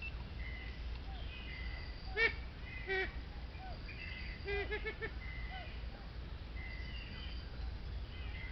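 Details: Siamese fireback (Lophura diardi) calling from a flock of about 7 males plus females, around 8am at Sakerat Biosphere Reserve, Thailand: a few loud, harsh, nasal calls and a quick run of clucking notes, over whistles of other forest birds and a low rumble.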